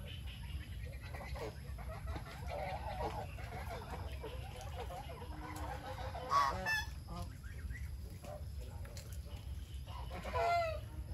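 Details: Several geese kept on a farm, eating together, keep up busy gabbling and nasal honks. Two louder calls stand out near the middle and the end, over a steady low rumble.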